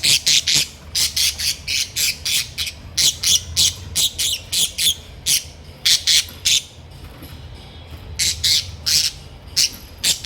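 Small parrots give loud, harsh squawks in rapid bursts, several each second, with brief pauses between runs.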